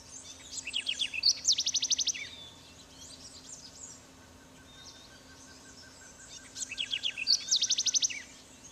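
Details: A house wren in Trinidad, 2004, gives two bubbling songs about five seconds apart, each starting with scratchy stuttered notes and ending in a fast, high rattling trill, over a faint steady hum.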